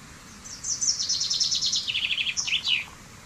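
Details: Common chaffinch (Fringilla coelebs) song: a bright, rapid trill of sharp notes that steps down in pitch, then a short emphatic flourish at the end, about two and a half seconds long, over faint low background noise.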